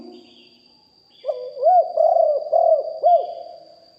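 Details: Spotted dove lure bird with a deep voice, recorded live: a low murmur first, then one phrase of five rounded, hollow coos in about two seconds, the middle ones drawn out, over a faint constant high hum.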